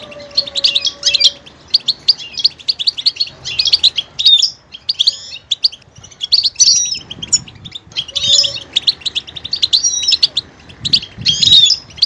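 A goldfinch sings a fast, tinkling twitter of high notes mixed with buzzy trills, in bursts every second or two, with a faint low whistle at times.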